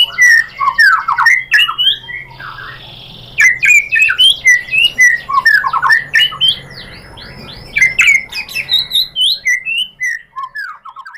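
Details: White-rumped shama song used as a lure to make another bird sing: a long, varied stream of quick, squawky, scratchy notes and short whistles, delivered in fast bursts with a brief pause.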